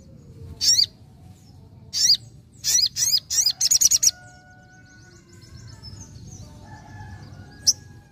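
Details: Sogon in energetic nembak ngalas song: several high, looping whistled notes, then a rapid stuttering burst, followed by softer faint tones and a final sharp chip after a pause.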